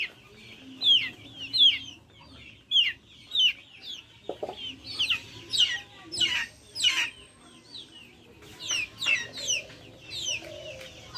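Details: Backyard chickens peep in shrill, downward-swept notes, sometimes rapid pairs and sometimes spaced, with occasional low clucks and a brief knock.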